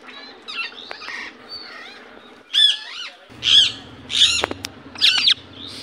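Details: Indian ringneck parakeet calling in its natural voice: softer chatter at first, then four loud, harsh rising-and-falling screeches spaced about half a second apart, each ringing with bright overtones.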